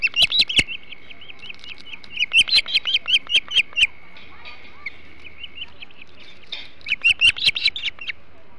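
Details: Ospreys at the Hog Island nest eating a huge flounder, 21 July 2016: clusters of shrill, clipped chirps separated by quieter stretches with a faint steady hum, then a final cluster of squealing notes.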